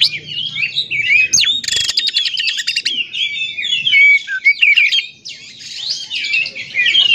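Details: Oriental magpie-robin song for luring other magpie-robins to sing. It is long and varied, with high warbles, a dry rattling burst early on, then ringing whistles and twisting phrases running almost without pause.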